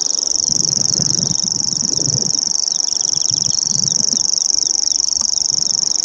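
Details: Common grasshopper warbler reeling at Bowesfield Marsh on 19 June 2017, singing non-stop for an hour, recorded on a Nikon P900: a continuous high, insect-like reel at one steady pitch, with faint other bird notes midway and low rumble beneath.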